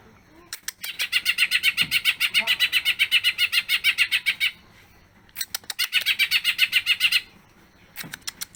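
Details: Greater green leafbird singing energetically in a long-duration song showing off its fills: bursts of rapid, buzzy chattering notes, roughly four per second, lasting several seconds, separated by short pauses and a few sharp clicks.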